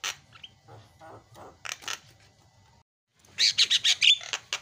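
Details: Jalak kebo (Javan myna) song offered as a lure for a bird that has stopped singing: scattered scratchy notes, a short pause, then a loud burst of rasping, squeaky chatter.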